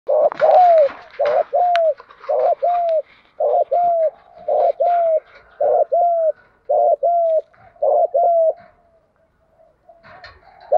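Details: Spotted dove giving the thúc gù coo style, used to stir up decoy birds: paired coos, each a short throaty burst then a longer level, slightly falling hooted note, about ten pairs in quick succession before a pause.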